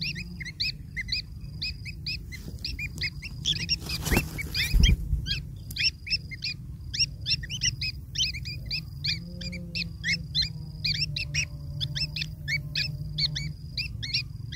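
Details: Nestling long-tailed shrikes beg for food from their parent, giving quick high squeaky chirps in irregular bursts, with a couple of knocks and a faint lower tone in the background.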